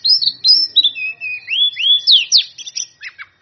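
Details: Oriental magpie-robin in lively full song, used to challenge rivals, tail spread: clear rising and falling whistles, sweeping slurs and quick chirps strung together at a lively pace.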